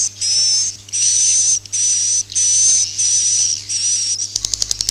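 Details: Swiftlet calling and roosting sounds, used to draw swiftlets into a swiftlet house: six high, hissing, buzzy bursts, each under a second with a thin whistled tone inside, separated by short gaps, over a steady low hum, ending in quick clicks.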